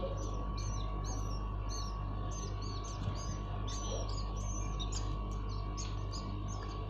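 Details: Hand-fed common iora nestlings beg with rapid, high-pitched chirping, many short squeaky notes tumbling out at uneven intervals, with a constant low droning hum underneath throughout.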